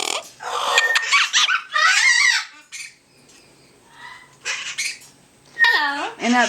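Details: Pet double yellow-headed amazon (Amazona oratrix) talks indoors among other parrots, mimicking speech in squeaky, high-voiced phrases with sharp upward whistles, while a person greets it.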